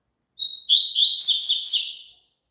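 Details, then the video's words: Double-collared seedeater singing, played so a caged bird joins in. A brief clear whistle is followed by a dense string of buzzy chirps and warbled trills, high-pitched and energetic, fading at the end. "COLOCA ESSE CANTO PARA SEU PAPACAPIM CANTAR JUNTO"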